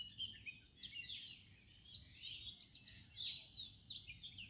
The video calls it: birds sound at morning/ Village birds sound